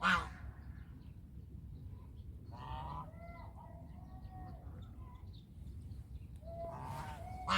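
Domestic geese give loud, harsh honks at the start, middle and end, with quieter nasal calls between over a steady low rumble of background noise.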